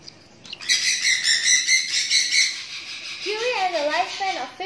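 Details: Lutino cockatiel giving a string of bright, harsh chirps repeated about twice a second, followed by a lower, wavering warble.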